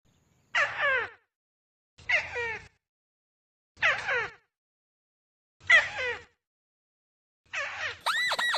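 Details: Crake lure call, compiled from assorted sources with some background noise: five harsh, squealing calls, each sliding steeply downward, spaced about one and a half seconds apart, the last ending in a higher tonal note.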